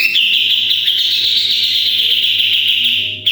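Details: Sooty-headed bulbul in the rapid 'tembakan' song style, recorded as a model for training other birds: one unbroken, fast, buzzy trill of high repeated notes held at an even pitch throughout, over a steady low hum.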